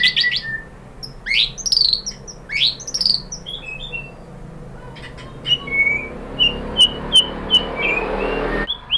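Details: White-rumped shama (murai batu) lure song meant to provoke rival shamas: a few harsh rising notes and short whistles, then a quieter run of evenly spaced clear chips against a soft hiss.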